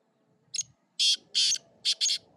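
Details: Black francolin, known locally as kala titar, calling: a short harsh note, then four loud, grating, buzzy bursts in a quick broken rhythm over about a second and a half, with a faint low hum behind.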